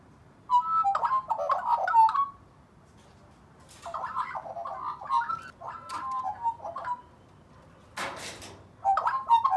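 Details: Sing-off between a rescued captive Australian magpie and a local wild magpie pair: three bouts of burbling, warbled carolling separated by quiet gaps, with a brief rustling noise near the end.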